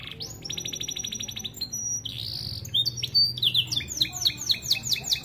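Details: Starblue American Fancy canary song used to train young canaries: a short upsweep, a rapid buzzy trill, a drawn-out whistle, then a run of quick high sweeping notes at a lively pace.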